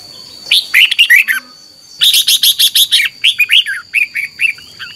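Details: Red-whiskered bulbul singing in the morning, a loud "ché" style training song: bursts of quick, sharp, chirpy notes sweeping down, then a fast run of about ten evenly repeated clipped notes, with a steady faint high whine behind.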